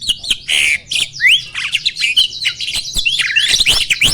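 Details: Asian pied starling male, adult and ready for mating, pumping while singing; starts with a harsh rasp and a rising whistle, then dense overlapping squeaks, trills and chatters.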